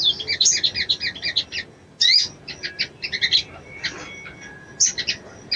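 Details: Female little spiderhunter calling for a male to excite him, with rapid, high, metallic chirp series, a sudden loud burst midway, and a thin lower whistle trailing near the end.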